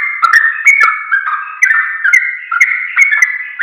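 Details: Sooty-headed bulbul singing, used as a lure to make others answer; an unbroken stream of warbled, liquid notes with frequent sharp ticks, slightly slurring up and down.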